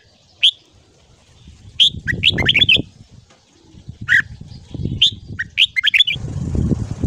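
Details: Red-whiskered bulbul morning song, 'ché' training style: clear whistled notes leading into fast warbled runs, repeated in several bursts over a steady low background rumble that grows louder at the end.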